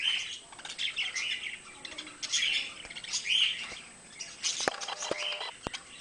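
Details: Pet budgerigars, two birds, giving softer scattered warbles and short chirps between quieter gaps, with several sharp clicks or taps toward the end.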